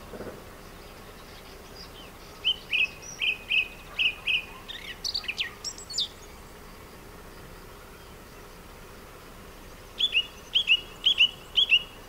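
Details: Song thrush male singing from abandoned orange groves at Sueca, Valencia, Spain: a series of repeated whistled notes and a high scratchy twitter, a pause, then another burst of five repeated ringing notes.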